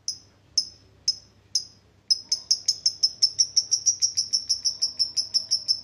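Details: Lovebird ngetik leading into ngekek, for prompting lazy birds: a few widely spaced sharp ticks, then a quick, accelerating run of clicks that becomes a steady rapid series.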